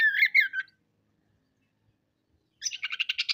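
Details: Oriental magpie-robin singing actively and showing off its repertoire of learned phrases. Two harsh, wavering squawk-like notes open, then after a silence a quick, rhythmic chatter of scratchy pulses quickens and grows louder.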